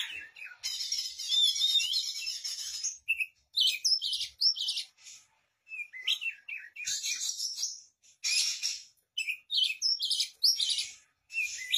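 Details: Kacer, the Oriental magpie-robin, in energetic gacor song used as a vocal tutor: a rapid, varied run of high whistles, trills and harsh rasping bursts, delivered in phrases broken by short silences.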